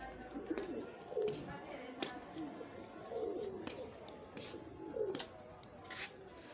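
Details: Domestic pigeon pair heard cooing: low, rounded coos recur roughly every two seconds, three in all, among sharp clicking and tapping noises.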